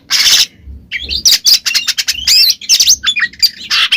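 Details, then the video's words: Kacer, the Oriental magpie-robin, singing its 'ngeplong' song meant to provoke a mute bird into replying: dense, high, scratchy chatter mixed with quick whistles, almost continuous, with a faint low thump in the background. "suara burung Kacer NGEPLONG kacer bisu pasti langsung nyaut seketika"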